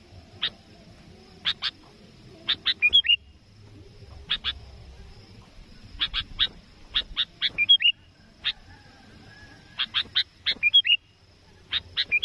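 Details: Sooty-headed bulbul in full voice, calling a rival, as used to lure birds for trapping: bursts of sharp clicks mixed with short, high, bubbly whistled slurs, repeated in irregular groups over twelve seconds, with a faint steady whine.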